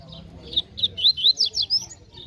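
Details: Double-collared seedeater, a fast, strong singer, competing in a baderna song contest: a quick series of about eight loud whistled notes, some slurred upward and some downward, with a faint murmur of voices underneath.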